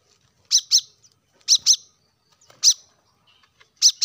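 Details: Plain-throated sunbird calling to prompt caged birds into song: sharp high chips mostly in doubled pairs, with short gaps and faint background ticks.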